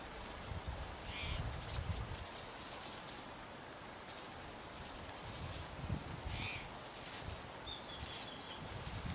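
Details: Spotted towhee (Pipilo maculatus) near Seattle hops and scratches back through dry leaf litter looking for bugs, making irregular crunchy rustling bursts, with a few faint chirps in the background.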